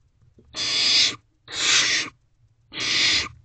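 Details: Barn owl nestlings in a nest box, 9:12 pm, 21 May 2023, while one eats a rodent; three broad, breathy rasps close together, each around half a second, over a faint low rumble.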